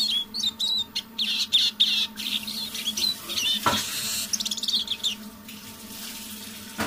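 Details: Evening, softly sung song of a tame decoy Eurasian siskin, with quick high twitters and whistles, a sharp click near the middle, then rushing noise mixed with trilled chatter.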